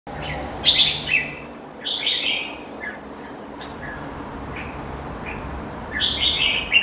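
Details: Red-whiskered bulbul, a kept bird: short bright chirped phrases, sliding and slurred, in two bursts near the start and the end, with quiet gaps and soft background hiss.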